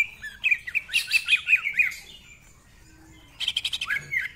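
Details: Greater green leafbird singing ngentrok with rich mimicry fill-ins: a run of about ten quick looping whistled notes, a pause, then a fast harsh stuttering burst ending in slurred downward whistles.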